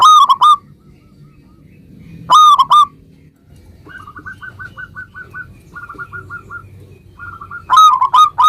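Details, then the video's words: Local zebra dove song meant to make other zebra doves answer. Loud bursts of a few full, ringing coos frame a long middle stretch of softer, rapid note runs in several groups. "suara perkutut lokal gacor ini ampuh menjadikan agar burung perkutut gacor nyaut seketika"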